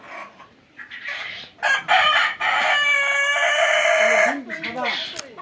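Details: Egyptian Fayoumi chickens on a farm in Bakshiganj, Jamalpur: a long sustained rooster crow over two seconds following short clucks, with a man talking at the end.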